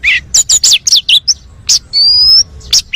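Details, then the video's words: Oriental magpie-robin, described as a champion with a full repertoire, singing to prompt other birds: a quick series of bright, slurred chirps, then one long, pure whistle gently rising in pitch, ending with a short chirp. "SUARA KACER FULL ISIAN - KACER JUARA - PANCINGAN BURUNG KACER"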